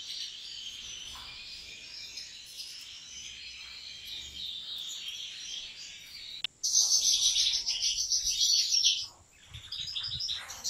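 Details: European goldfinches kept in a large breeders' aviary; a faint, dense twitter builds until a loud, busy burst of high, tinkling chatter from several birds at once suddenly takes over, then fades.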